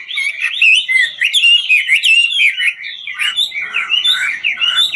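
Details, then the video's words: A Chinese hwamei (Garrulax canorus), 'ngũ trường' style bird, sings and dances at once, pouring out a continuous run of warbled, looping whistles that rise and fall in pitch without a break. "Họa mi ngũ trường hót múa cực chất"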